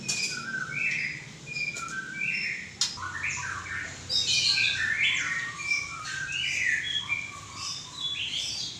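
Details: White-rumped shama with a drooping tail in full song: rich, varied whistles, rapid fluty slurs and scratchy bursts tumbling one after another in dense, irregular phrases, with a sharp click partway through.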